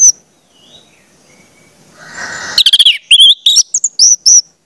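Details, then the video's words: Orange-headed thrush song played to train juvenile birds: a faint rushing noise, then a short lively burst of high, clear, slurred whistles and sharp notes. "pancingan anis merah"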